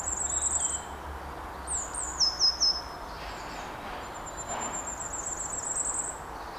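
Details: Firecrest calling in woodland from about eight or nine feet off the ground, March 2025, recorded on a DJI Mic 2: thin, very high-pitched notes in short series, one descending stuttered run near the middle, a faint high trill later, steady background hiss.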